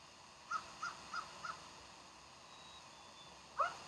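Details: Bald eagles at Decorah on the morning of 15 January 2012: a run of four short, high chipping notes about a third of a second apart, then a pause and one louder, sharper squealing note.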